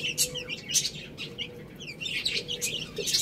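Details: Chicks at a rice meal chirp with thin, high, slightly downslurred peeps in rapid overlapping runs, punctuated by sharp pecks.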